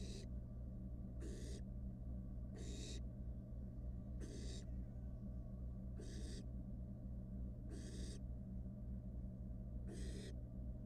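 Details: Young wild barn owl at its nest box, playing with its dinner, makes seven harsh, airy screech-hisses at uneven gaps of roughly one to two seconds, against a steady background hum.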